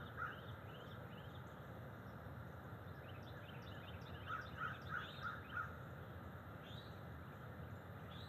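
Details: Bald eagle at its nest tree on an October early morning, with two adults perched there: a quick run of five short, clipped whistled notes near the end, one earlier note, faint high chirps from other birds and steady background hiss.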